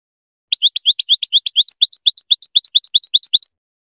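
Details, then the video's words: European goldfinch song used to teach young birds to sing: a fast, even series of about twenty sharp high chirps, the later notes pitched higher, lasting three seconds. "الحلقة الثامنة من سلسلة حلقات تحفيظ فراخ طائر الحسون التغريد"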